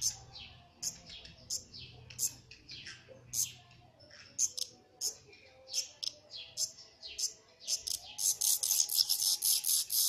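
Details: Black redstart pair feeding their chicks: short, high, thin chirps repeated about twice a second, ending in a dense rapid burst of shrill notes, over a faint low hum.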